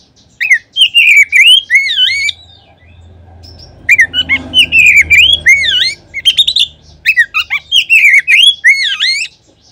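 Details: Lure song of an Oriental magpie-robin, meant to make any magpie-robin start singing. Two bursts of loud, looping whistled notes in rapid succession are separated by a pause with a faint low hum.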